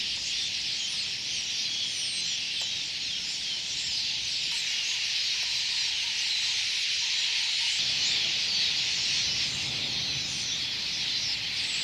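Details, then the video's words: A huge flock of red-billed quelea in the bush beside a campsite at Khwai, Okavango Delta, Botswana, makes a dense, continuous wall of high chattering and twittering with no pauses; faint low rumble beneath. "You can hear them in the bush next to me. They're making a real noise."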